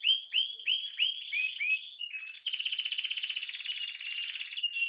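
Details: Canary, brown-yellow and ringed, delivers rising whistled slurs, a short pause, then a long buzzy rolling trill held for over two seconds.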